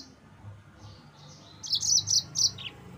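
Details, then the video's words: Brief phrase of yellow-fronted canary song meant to provoke rival birds: a quiet start, then four loud high chirpy notes in quick succession ending with a short downward slur. "Mozambik Gacor NGEROL Terbaik untuk Pancingan bikin Lawan Naik Emosi"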